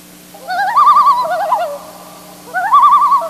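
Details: Common loon tremolo, a rapid, quavering, laugh-like wail given in two bouts. It is an alarm call from a perturbed loon, possibly advertising its territory, and is also heard at night. A low hum runs underneath.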